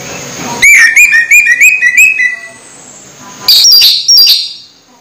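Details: An orange-headed thrush, close to moulting but still singing actively, gives a fast run of about eight slurred, clear whistles, then after a brief pause two higher, sharper phrases.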